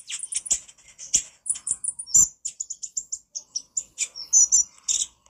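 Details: Olive-backed sunbird (konin) in a master recording for training birds, singing vigorously in a nonstop chattering style: rapid, very high, thin chirps and twitters packed closely together with brief gaps, no other sounds.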